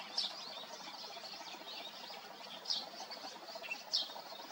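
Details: Eurasian tree sparrow fledglings, a few days out of the nest, begging for food in May in Yeoncheon, Korea, give sharp high chirps, three in under five seconds, over a steady wash of softer twittering.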